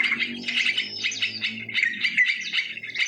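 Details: Short burst of sooty-headed bulbul lure sound recorded in nature: fast, jumbled chirps and clear whistled notes, one brief upward whistle near two seconds, faint low drone underneath.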